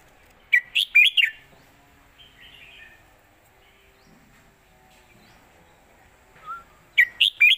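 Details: Red-whiskered bulbul performing an old southern Thai master song for teaching birds: two quick phrases of four lively whistled notes about six seconds apart, with soft warbling and a faint single note between.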